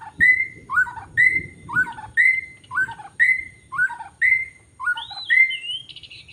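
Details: Wild forest white-rumped shama, recorded during bird trapping: a loud clear two-part whistled phrase, a sharp note then a falling slur, repeated about once every 0.6 seconds, ending with a higher warbled variant.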